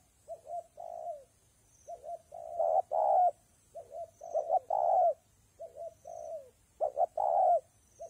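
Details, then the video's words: Rainy, windy weather, spotted dove cooing continuously: soft, downward-sliding coos mixed with louder phrases of quick notes ending in a long, mellow coo, repeated back to back. "Thời tiết mưa gió ace vào nghe cu gáy gù cả ngày"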